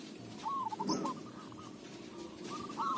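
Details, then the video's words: Local zebra dove whose voice is suited for use as a lure: two short bursts of quick, stuttering, mid-pitched cooing notes, the first near the start and the second near the end, with a quiet pause between and low background hum throughout. "Perkutut lokal suara cocok buat pancingan"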